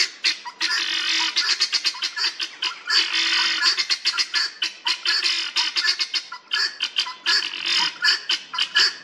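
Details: A group of helmeted guineafowl in an old English churchyard in Northamptonshire giving harsh, rasping, grating calls in rapid irregular bursts, several birds overlapping into a loud continuous chatter with brief pauses.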